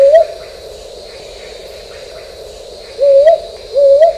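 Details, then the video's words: A brown hawk-owl (brown boobook) calls: soft, low, slightly rising hoots, a double-toned whoop repeated about every second, over a steady insect hiss. "কাল পেঁচার ডাক | Brown Hawk Owl Call | Brown boobook Call"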